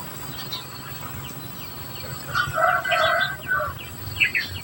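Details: Society finch (Lonchura striata domestica) chicks begging while being fed: a run of raspy, nasal, buzzing calls swelling in the middle, with thin high chirps before and after, over a low steady hum.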